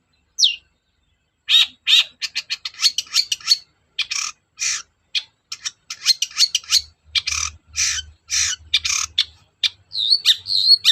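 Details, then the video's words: Long-tailed shrike singing as a lure for birds that are slow to sing: after one thin opening note, a long, busy stream of rasping, scratchy and chattering notes with mixed pitches. "BURUNG CENDET GACOR DOR PANCINGAN AMPUH CENDET SUSAH BUNYI"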